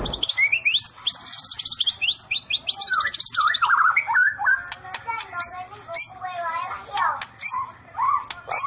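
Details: White-rumped shama with "sambaran listrik" (electric strike) song: a very high, rapid buzzing trill and rising whistles, then lower looping warbles scattered with sharp clicks and short slurred notes.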